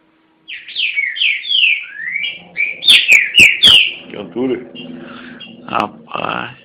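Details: Caged green-winged saltator from Garça, São Paulo, Brazil, singing loud whistled phrases that slur downward, followed by sharp clicks and a man talking indoors over the later part.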